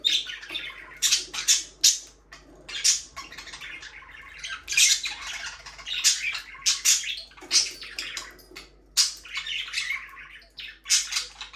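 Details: Caged budgerigars chatter steadily for several seconds, a string of short, scratchy, high chirps and squawks repeated roughly every half second in uneven rhythm, in a small indoor room.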